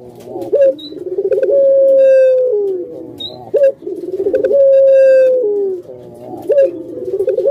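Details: Pet puter pelung dove repeating its cooing phrase about every three seconds. Each phrase has a short upward flick, a rolling burble and a long, level, sustained coo that slides down at the close.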